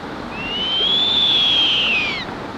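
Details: A young Blakiston's fish owl in Shiretoko in late autumn 2021, calling at night in a dark forest all night long, gives one long, high, thin screech of about two seconds. It rises slightly, holds, then sags over a steady rushing background.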